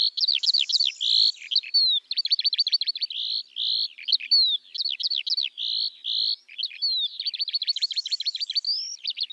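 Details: Eurasian skylark (Alauda arvensis) song, high and continuous: rapid buzzy trills of evenly spaced clicks alternate with rising and falling slurred whistles and short rasping bursts, flowing without a break.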